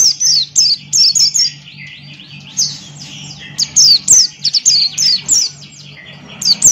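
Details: Buxton's white-eye in energetic 'ngalas' song: dense bursts of sharp, high, falling chirps alternating with softer rolling warbles, delivered almost continuously, with a faint low hum.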